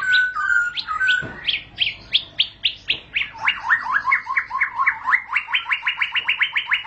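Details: White-rumped shama, known locally as murai batu, singing a long roll (ngerol panjang): a few whistles, then fast sharp notes at about four per second that end in an even rapid trill.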